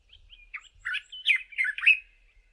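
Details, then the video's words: Male dark-capped bulbul in South Africa singing its far-carrying song from the top of a bush in the early morning: a quick, liquid phrase of slurred, chattering whistles rising and falling over about two seconds. "DARK-CAPPED BULBUL'S early morning song"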